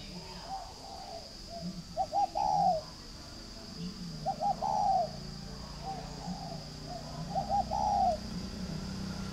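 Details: Caged spotted dove on a bird farm in Ba Vì, Hanoi, northern Vietnam: repeated mellow phrases of two or three clipped notes ending in a long falling coo, with fainter coos and a thin high whine behind.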